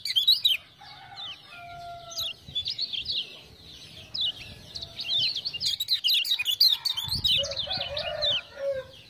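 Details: Caged Lemon-bellied white-eye (kecial kuning) from Lombok, used as a tutor bird and prompted with ciak-ciak sounds. It gives a dense, high twittering song with steady whistled notes beneath, plus a low rustle and lower calls near the end.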